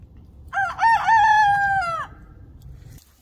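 An Ameraucana rooster gives a single crow of about one and a half seconds. It opens with a short rising note, then holds a strong, harmonically rich tone that falls away at the end.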